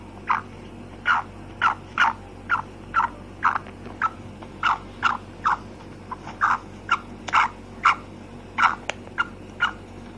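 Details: Female black francolin, locally kala teetar, giving a long run of short, harsh, clipped notes about twice a second, some louder and some softer, over a steady low hum.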